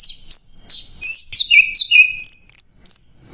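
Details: Orange-headed thrush masteran song in the "macet jernih" style: high chirpy phrases, a pair of falling slurred whistles, then a long thin high whistle with a few accents.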